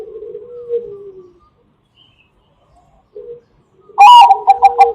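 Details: Bangkok-type zebra dove, kept as a lure for other doves, cooing. Faint, low, drawn-out coos come first, then a pause, then a loud phrase of a strong opening note and quick short coos that is cut off at the end.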